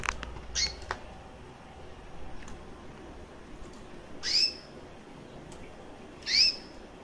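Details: A one-year-old female recessive white canary (Serinus canaria) with red-factor eyes chirps indoors, giving three brief, high chirps spaced a couple of seconds apart against a quiet background.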